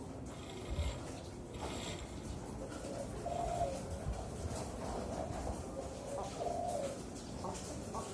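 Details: Young captive zebra dove, four to five months old, being trained to sing on a raised hoist cage; two soft, rolling coos a few seconds apart over steady background hum.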